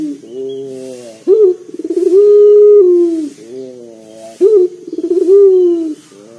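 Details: Deep, loud coo of a local collared dove kept to lure other birds into singing: each phrase opens with a quick bubbling roll, then holds a long low level note, repeated about every three seconds.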